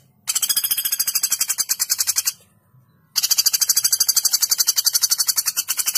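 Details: A common flameback, recorded as a tutor song for training songbirds, gives sharp, long, harsh rattling trills of about ten notes a second in two bursts separated by a brief pause.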